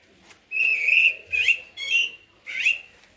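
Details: Common blackbird giving four mellow, slurred whistles in quick sequence, the later ones with a warbling twist.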